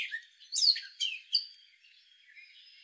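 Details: Male Gray catbird giving a short run of squeaky, varied chirps that rise and fall in pitch, with most notes packed into the first second and a half and a few faint notes trailing off afterward.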